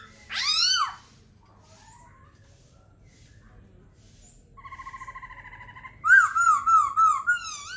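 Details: Laughingthrush gives a loud falling whistle, then after a quiet spell a steady trilled tone and a quick series of looping, bouncing notes to finish.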